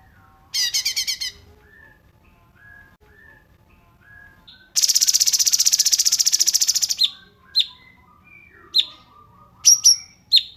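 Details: Cungkok song in a dense-with-pauses style for tutoring songbirds: a short rattling burst, soft low whistles, a long fast buzzy trill of about two seconds, then scattered sharp high downslurred chips.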